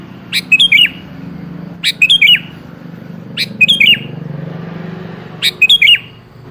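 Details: Sooty-headed bulbul lure song, meant to get a rarely singing bird to respond: four bubbly whistled phrases of three or four slurred notes, repeated roughly every one and a half seconds, over low background hum.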